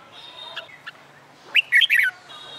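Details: Red-whiskered bulbul singing in summer sun, used in training for song contests; a loud quick warbled phrase of four bright notes midway, with a faint thin whistle and soft chirps around it.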